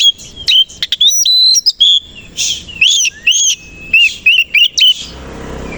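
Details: Kacer koci, the Oriental magpie-robin, singing in the morning while fanning its tail; a continuous varied stream of loud whistles, sharp chirps and rising slurs, ending abruptly in soft background noise.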